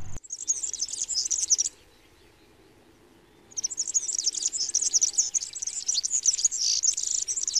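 A European serin sings a very high, fast, scratchy jingle in two bursts split by a two-second pause, like a squeaky, rusty wheel.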